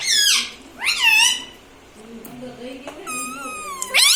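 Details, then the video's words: ['Pet parrot that is taught to say mummy, papa and radhe radhe: bright, swooping speech-like syllables, a quieter murmuring stretch, then a level whistled tone ending in a sharp upward squeak.'] "parrots talking papa"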